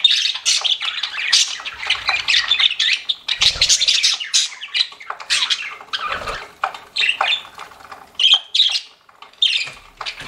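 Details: Several pet budgerigars chatter nonstop in a dense, scratchy stream of high chirps, squawks and warbles, the birds overlapping with barely a pause.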